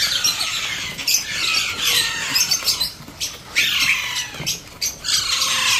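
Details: Baby Alexandrine parakeet being hand fed, giving loud, raspy, high-pitched squeals in bursts of one to two seconds, separated by short pauses and a few clicking sounds.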